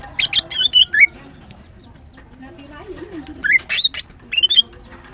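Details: Female greater green leafbird singing in the morning: a quick burst of chirps and slurred whistles, a pause with a faint low wavering sound, then another short run of rising notes.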